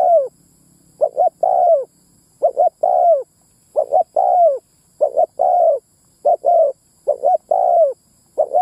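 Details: Spotted dove lure call aimed at attracting males and females, delivered as about seven rapid phrases. Each phrase is a clipped double coo and then a longer falling coo, with brief gaps between. Background otherwise silent.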